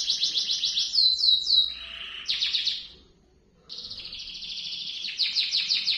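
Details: Canary singing a long rolling trill used to teach young canaries: high buzzy rapid trills, sweeping slurred notes, a brief pause, then more fast rolled trills.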